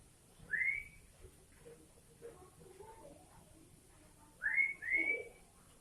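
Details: Sooty-headed bulbul (kutilang) with cucak ijo (leafbird) phrases: a rising whistled note, soft low chatter, then a pair of quick upward-sweeping whistles, over steady background hiss.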